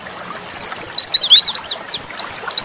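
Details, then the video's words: High, rapid song of an Oriental white-eye of the dakun kind, nembak style: a burst of squeaky, twisting chirps and slurred whistles packed into under three seconds, bright and close. "pleci dakun nembak"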